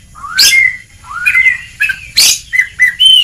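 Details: Oriental magpie-robin training song for coaxing a reluctant bird to sing: rising whistled slurs alternating with harsh bursts, then short clear whistles near the end, in a quiet setting.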